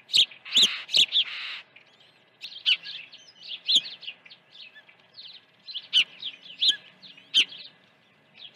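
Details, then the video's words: Early morning feeding at an osprey nest, 1 June 2019; a rapid opening run of shrill chirps gives way to many softer, scattered high cheeping notes with occasional louder sharp whistles. "Osprey Video_2019-06-01_082412- Early feeding"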